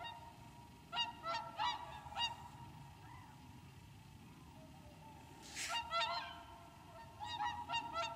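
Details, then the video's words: Whooper swans wintering at Lac du Der in Champagne, France, 30 January 2014: rapid clusters of trumpeting honks, a short quiet gap, then more calling bursts over low background noise. "Cygne chanteur ( Cygnus cygnus ) au Lac du Der en Champagne"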